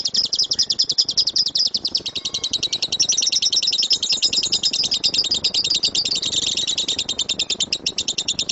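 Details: Lovebird in a loud, rumbling rapid-fire 'tembakan' song used as a master recording to train birds: a dense run of high, sharp chirps about two and a half per second, shifting pitch midway, over soft background hiss.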